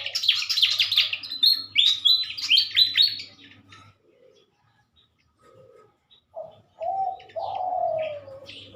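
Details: Morning song of pied fantails, a captive pair being matched before release, Indonesia, 2023: a rapid burst of high, stepped chirps for several seconds, a pause, then short low whistles and a sliding note, with a low hum.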